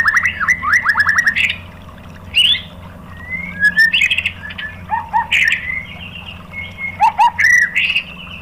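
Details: A white-rumped shama sings a provoking lure for other shamas, giving short separated phrases of clear whistles, quick rising notes and brief chattering trills with pauses between, over a faint low hum.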